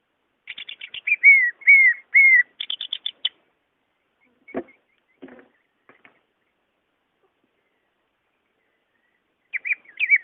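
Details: A greater green leafbird's natural song, offered as a lure to prompt quiet leafbirds to sing: quick bursts of bright chattering and slurred whistles, dropping slightly in pitch, with a few dull knocks in a quiet gap before the song resumes.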